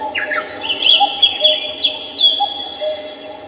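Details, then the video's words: Birds in Samcheong Park, Seoul: high, bright warbling chirps and slurred whistles in quick succession, above faint repeated lower notes. "The song of birds starts at Samcheong Park in Seoul today."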